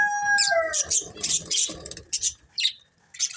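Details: Budgerigars of a colourful family flock give a few clear falling whistled notes, then break into rapid scratchy chirps and squawks in uneven bursts, fading to short isolated chirps at the end.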